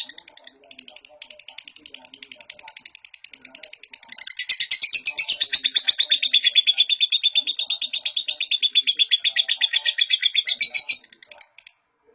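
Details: Lovebird song for training young lovebirds, starting with softer scattered chirps, then swelling after four seconds into loud, fast, rhythmic chattering trills before stopping abruptly near the end.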